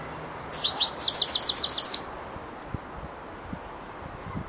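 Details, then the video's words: Four-month-old European goldfinch starting to finish song phrases: one quick burst of high, evenly repeated tinkling notes lasting about a second and a half, then quiet with faint low knocks. "jilguero el estudiante rematando"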